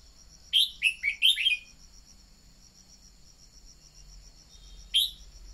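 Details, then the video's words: Red-whiskered bulbul used as a decoy singer to stimulate wild-caught birds into song. A quick burst of five clear, warbling whistles, a pause, then one lone note near the end. A continuous high-pitched insect trill runs beneath. "Luyện giọng chào mào mồi-kích bổi mau hót"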